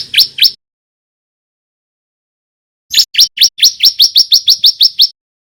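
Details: Male white-breasted bar-winged prinia learning to sing in a loud, rapid style: two sharp rising chirps, a pause, then a fast burst of about ten bright, rising notes at an uneven pace, with a clean, quiet background.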